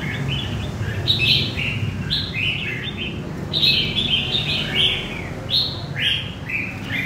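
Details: Caged red-whiskered bulbul newly taken from the wild in central Vietnam, delivering clear, lively warbled phrases of bouncing whistled notes, about one phrase every two seconds, over a low rumble.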